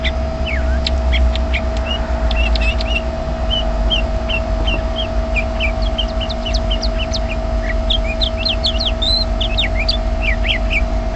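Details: Chirping from a bird hidden in a bush, quick sharp whistled notes and short downward flicks delivered in irregular bursts, with a constant electrical-sounding hum and heavy low noise throughout.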